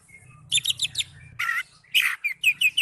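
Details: Oriental magpie-robin singing ngipas: a clipped series of high chirps, then two harsh, rasping bursts, ending with quick repeated whistled notes over a low background hum.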